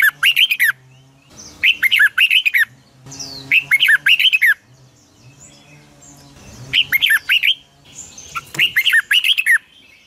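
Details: Morning training song of a red-whiskered bulbul, 2020, in the long double-twisted voice style, used as lure song for wild-caught birds. Five bright, warbled phrases of rapid chirping notes are separated by short pauses, with a steady low hum behind.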